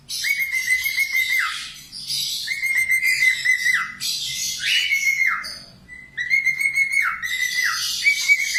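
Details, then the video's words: Budgerigar song used as a training recording for cockatiels: bursts of bright whistled notes near one pitch, with short downward slurs and a buzzy, chattering overtone, repeated in phrases about every two seconds. "LATIH SUARA PARKIT AUSTRALIA"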